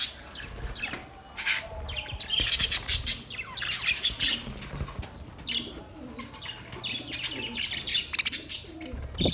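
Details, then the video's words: Budgies chirping with scattered sharp squeaks and short runs of rapid scratchy chatter, loudest around the middle, then isolated high notes and a final low rumble. "Relaxing Parrot birds singing | Budgies chirping sounds"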